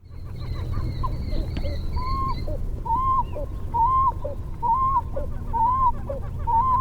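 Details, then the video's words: At a lake or reservoir, a Pied-billed Grebe, a small diving water bird of lakes and ponds, gives a haunting run of hollow, hooting notes just under one per second at a steady mid pitch, over a low background rumble. "And I think my highlight was the haunting sounds of the Pied-billed Grebe."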